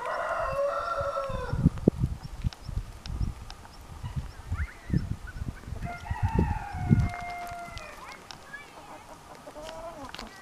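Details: Orpington chickens kept by their owner: a long drawn crow opens, and a second crow follows midway, over scratching and footstep-like thumps outdoors.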